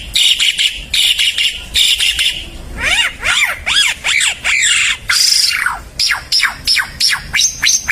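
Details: Timor red-eyed bird singing prolifically: dense high chirps, then a run of quick downward-swept whistles and rapid upward-flicking notes repeated in short bursts.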